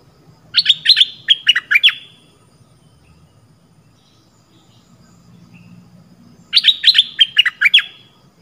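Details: Red-whiskered bulbul, southern Thai type, sound used as a lure; two bursts of six or seven rapid sharp chirped notes, separated by about four seconds of quiet with low background rumble.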